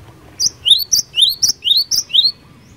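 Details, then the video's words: Cinereous tit in energetic 'gacor fighter' song meant to make other tits answer at once: about four quick two-note phrases, a thin high note dropping into a brighter rising-falling whistle, in rapid succession. "Burung Glatik Batu Gacor Fighter, Cepat Bikin Glatik Lain Langsung NYAUT"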